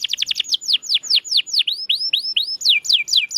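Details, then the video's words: Canary singing in a recording for prompting silent birds to sing: quick series of bright whistled notes sweeping downward, some curving up again, repeated in a lively, uneven rhythm. "Kenari Gacor‼️Masteran Handal Pancingan Burung Bisu Agar Cepat Gacor Lagi"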